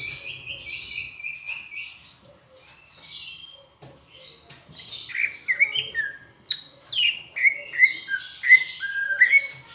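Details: Greater green leafbird from Palembang, tutor song with Asian brown flycatcher imitation: soft scattered notes at first, then a lively sequence of slurred whistles and chirps growing louder toward the end.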